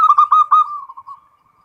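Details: Zebra dove of the local type in full ngerot song, meant to stir breeding urge: four quick ringing notes, then a long, steady, fading trill.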